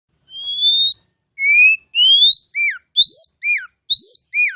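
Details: Oriental magpie-robin (kacer) training song, loud and clear: pure rising whistles alternating with downslurred notes, each phrase about half a second with short gaps.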